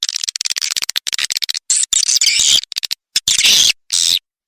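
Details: Swiftlet calls played to attract swiftlets: rapid dry clicking pulses and buzzy, high chattering bursts, loud and close, with abrupt gaps between sections.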